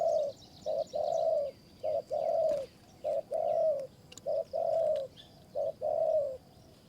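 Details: Wild spotted dove near a decoy trap in the high forest of Kanchanaburi, Thailand. Low, hollow coos alternate short and drawn-out notes, repeating steadily about once a second, with faint high bird chirps and clicks behind.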